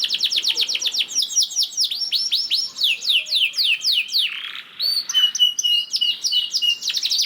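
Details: Canary singing as a lure for other canaries, rapid series of downward-curving chirps about four per second, a brief low dip, then sharper whistled notes and quick trills.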